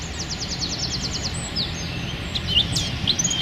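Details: Wren in rapid 'tembakan rapat' shooting song, a training recording for songbirds: a quick run of about ten high clipped notes, then scattered sharp whistles over steady background noise.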